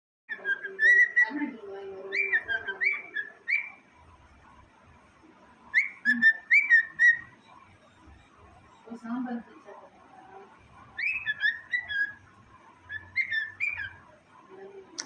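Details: A grey talking cockatiel whistles clear, rising and falling phrases in short bursts, with soft chattering between them.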